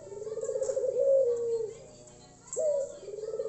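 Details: Puter Tangerin/Irak dove in full cooing performance, a loud voice used to prompt lazy or silent doves to sing: low, rolling purred coos with a drawn-out smooth note in the middle, then a sharp rise into another rolling coo.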